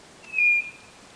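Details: White-bellied nothura calling once: a brief, even, clear whistle that ends abruptly, over a soft background hiss.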